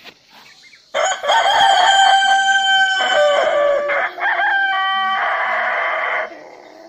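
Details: Rooster crowing: a loud, harsh, drawn-out crow of about five seconds, rich in harmonics, with a brief dip near the middle and a sustained level ending, clean background.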